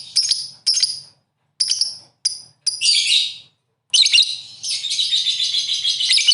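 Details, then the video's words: Five clipped, high chirps from a 'gacor' lovebird, then a dense scratchy chatter, a brief silence, and a long, continuous, buzzing warble at the end. "lovebird gacor sekali burung ocean"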